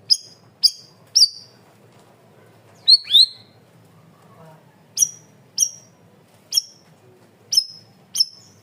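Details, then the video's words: Cream-vented bulbul with a loud, clear voice: a trio of sharp high chirps, then a twisting double note, then a steady series of evenly spaced falling chips. "MASTERAN BURUNG CUCAK RAWIS/BAYEMAN GACOR SUARA KERAS DAN JERNIH"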